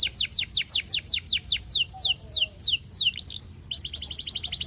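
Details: Russian singing canary, song meant to seduce other canaries, producing a run of loud downslurred whistles at a steady pace, a pair of rising and falling sweeps, then a quick, buzzy high roll.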